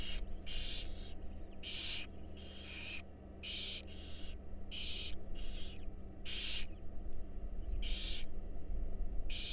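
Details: Barn owl chicks, wild, in a research nest box during a feeding: rasping, noisy screeches repeated roughly every half second to second, uneven rhythm, with a constant low electrical hum beneath.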